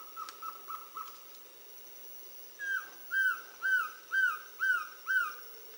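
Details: Black-throated trogon (Trogon rufus) at Reserva Yaguaroundi, Misiones, on 31 July 2015: a soft series of quick notes, then six clear, down-slurred hoots about twice a second, over a thin steady insect whine.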